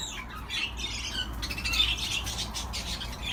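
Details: Budgerigar chatter, softer and more diffuse: hoarse, squawky warbling notes run together into a continuous scratchy murmur, with no clear pauses, over a faint low hum.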